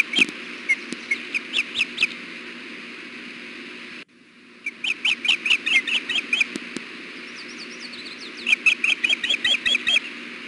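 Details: Female osprey fussing and fussing on the nest while the male is present, wanting food on a hot June day: repeated bursts of piercing whistled chirps, several notes each, separated by brief pauses, with faint thin calls and a steady hum.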